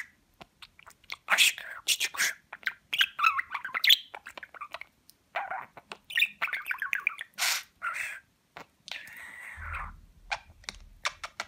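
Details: Pet budgerigar from Rize, recorded in 2020, talks in a montage made to teach the Turkish words 'Babacık Babacık Aşkım'. Fast, high-pitched, harmonic-rich speech-like syllables come in bursts with short gaps, ending in a steady low hum.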